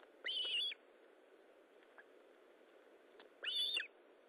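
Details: Two separate clear whistled notes from an Osprey, about three seconds apart, each a bit under half a second and nearly level in pitch, recorded at the nest during feeding on 19 July 2012 at 9:43.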